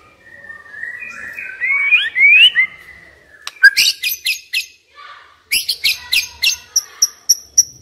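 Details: Decoy white-rumped shama giving soft, warbled whistles that swell and rise, then a string of sharp, high clipped notes repeated about three times a second, ending in thin high chips.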